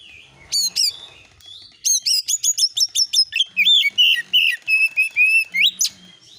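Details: Oriental magpie-robin (kacer) lure song in the 'nembak isian' style, meant to provoke replies: steep upward whistled sweeps, then a fast run of chattering, buzzy notes about three per second, with sliding whistles and a faint low hum.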